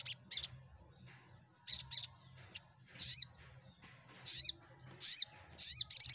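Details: Sunbird song played to prompt silent birds to answer and sing: sharp high chirps and short rapid trills in separate bursts, with a faint low hum underneath.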